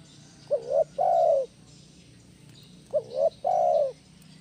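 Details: A loud 'kuk 1' style spotted dove call, used as a lure to train other doves: two low coo phrases, each a brief double-humped note followed by a longer, steady, falling coo, spaced about two and a half seconds apart.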